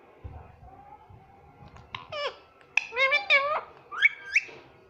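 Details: Talking pet rose-ringed parakeet, a green ringneck parrot, indoors, mimicking "mummy papa": a low murmur, then squeaky, speech-like syllables, some dipping and some rising, in clustered bursts over about three seconds.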